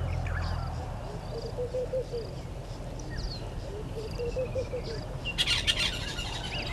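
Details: Near a nest tree at a waterhole in Djuma Game Reserve, Sabi Sand, South Africa, on 30 January 2020 mid-morning, a red-billed hornbill gives two runs of quick low clucks; other birds chirp high above, with a burst of buzzy insect-like noise late.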